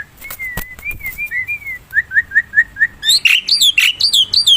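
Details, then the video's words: Black-winged myna singing in the wild, used as a lure: clear slurred whistles rising and falling, a run of short downslurred whistled notes, then louder, harsher rising and falling notes. "Suara burung jalak putih"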